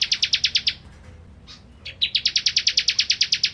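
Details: Lively caged ciblek kristal, recorded as tutor song for magpie-robins, giving rapid bursts of high, bright chirps repeated several times a second, broken by a brief quiet gap before a longer, steady chirping run.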